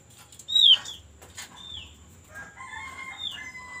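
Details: White-eye song used as a lure to get birds singing quickly: one loud, sharp, down-slurred whistle with overtones. Fainter slurred notes and two steady lower whistled tones follow, over a low background hum.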